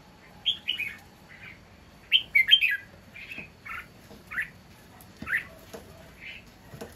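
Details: Loud song of a wild-caught red-whiskered bulbul kept in a cage, with sharp chirps and warbled two- and three-note phrases repeated every second or so, the most intense cluster just after two seconds.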